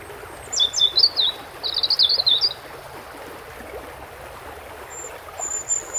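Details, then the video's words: Thin, high European robin phrases, a fast tinkling trill followed by a jumbled warble, then a faint very high note near the end, all over constant rushing water. "bird red throat"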